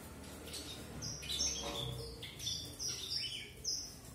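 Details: Red avadavat, or strawberry finch, singing high thin whistles and brief sliding chirps in short phrases, with a low rumble underneath.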